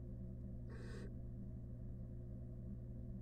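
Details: A single rasping, breathy screech lasting under half a second from a wild barn owl at its nest box with a rat, set against a continuous low hum.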